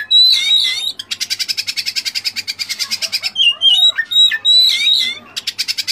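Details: Kacer (Oriental magpie-robin) filler-laden song: warbled whistles, then a fast rattling series of about twenty harsh repeated notes, more slurred whistles and another rapid rattle at the end.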